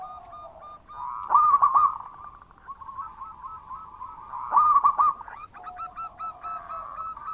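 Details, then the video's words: A local zebra dove, kept as an eager, loud songbird in Indonesia, sings two separate phrases about three seconds apart. Each is a clipped burst of quick, hollow cooing notes, with quieter drawn-out coos and a low background drone between them. "Perkutut Lokal Gacor Suara Keras"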